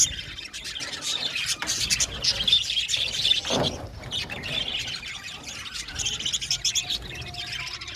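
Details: Aviary-kept Australian budgies twitter in a crowded chorus of high chirps and squawks, one louder falling squawk standing out midway above the flock's chatter.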